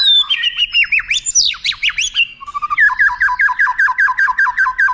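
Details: Tutor song of a white-rumped shama with long prominent phrases for contest birds: swooping varied whistles, then a fast run of identical sharp notes repeated about four times a second.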